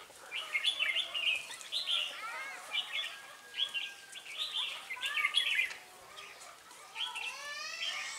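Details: Red-whiskered bulbul used as a lure to trap wild birds in Ba Thá, 18 December 2016; short rich warbled phrases repeated roughly every second, bubbling and slurred, with a few rising whistles near the end.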